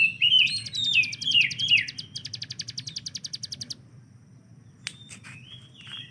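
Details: Caged hill prinia opening with three downslurred whistles, then a rapid stuttering burst of clipped notes that stops abruptly, followed by a faint whistle.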